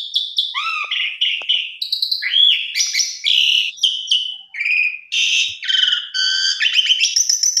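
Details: Asian pied starling singing a rich, mixed song intended to spark a quiet or stressed starling: continuous jumble of rising whistles, dry rattles and squeaky notes without clear pauses.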